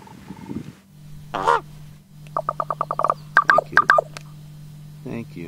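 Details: Common raven (Corvus corax), varied calls.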